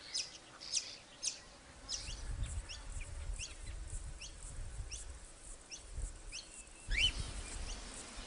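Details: Wild cockatiels in the Australian Outback, a pair nesting above a river with nearly grown chicks in a nest hollow nearby. Short, high, rising chirps about twice a second, with one louder upslurred note near the end, over a low rumble of wind.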